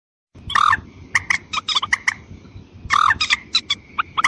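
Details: White-breasted waterhen lure call, used to draw in both females and males. Harsh, croaking notes come in two quick bursts of about ten, separated by a pause of roughly a second. A steady thin whine runs behind them.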